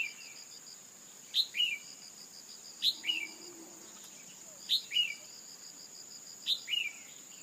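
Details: Female red-whiskered bulbul calls used to stir a male into full song: short paired chirps, a sharp high note dropping into a lower slurred one, repeated about every one and a half seconds over a steady high whine and faint pulsing.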